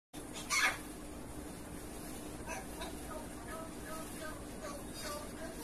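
An African grey parrot gives one loud, harsh squawk, then a run of soft, speech-like syllables and warbles in an indoor room.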